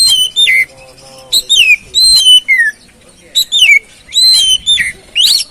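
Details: Song of an oriental magpie-robin, meant to spur another bird into full song when it is stalled or stressed. Clear whistled notes glide downward, grouped in phrases about every two seconds.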